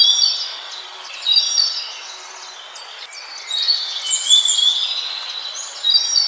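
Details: High, thin whistles and squeaky chirps from Scaly-breasted munia (Nutmeg Mannikin), in bursts at the start and again from the middle onward, with a quieter gap between, set against steady faint background hiss.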